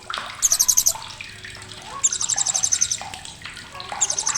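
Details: Blue-crowned hanging parrot, sharp chatter meant for tutoring competition songbirds: shrill, fast ticking bursts, one short at the start, a longer run of a dozen notes at two seconds, another at the end, with faint lower chirps and hiss between.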